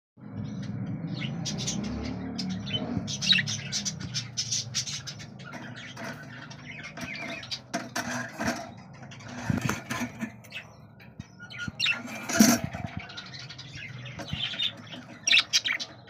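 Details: Hogoromo (double-flower) budgerigars chatter in scratchy chirps and short warbles, with bursts of wing flutter and a low background hum.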